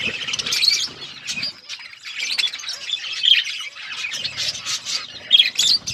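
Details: Budgies chirping while feeding: rapid scratchy twitters and short squawks in clustered bursts, with a quieter pause near the second second before the chatter resumes.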